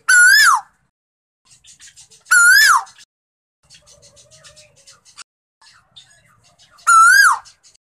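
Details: Male Asian koel raised by hand from a chick rescued in June 2020 utters three bold, clear coo notes, each swelling upward before dropping, separated by quieter scattered chirps and clicks.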